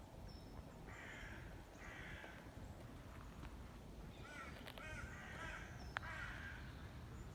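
A grey heron gives four harsh, hoarse croaks, each about half a second long, over a steady low rumble of wind.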